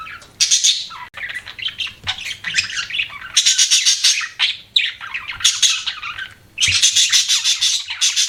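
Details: Budgies chirping in harsh, squawky bursts of about a second each, separated by short gaps, mixed with buzzy warbling notes.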